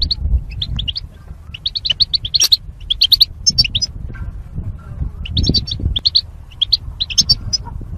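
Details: Caged goldfinches set up as mating pairs with wire separators, singing for training: rapid clusters of bright chirps, busier at the start and end with a short lull midway, against a low hum.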